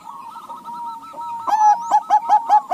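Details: Crossbred Bangkok and local zebra doves answering each other: a soft, wavering sustained coo gives way to a rapid series of short, punchy repeated notes, about three per second.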